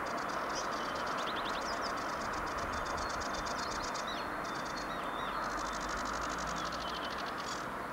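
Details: Sedge warbler singing on 23 May 2022: a fast, chattering song of scratchy notes, rattling trills and brief whistles in a long run, over a steady roar of background noise.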